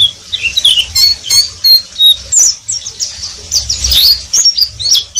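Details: Oriental white-eye (pleci) giving ngeriwik song, quick high chattering notes and thin squeaky slurs in short bursts, over a faint low rumble.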